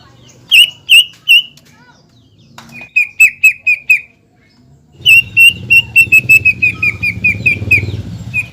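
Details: Caged greater green leafbird singing to provoke a rival into emotional, aroused display. Bright whistled notes come in short bursts, pause, then resume as a fast repeated series over a low rumbling background noise.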